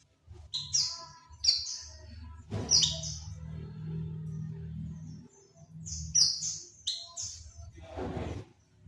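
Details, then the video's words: Lure call of the Oriental white-eye, meant to draw other birds in: sharp high tweets given singly or in pairs at irregular intervals, with a steady low hum and some rustling noise behind. "suara pancingan burung pleci"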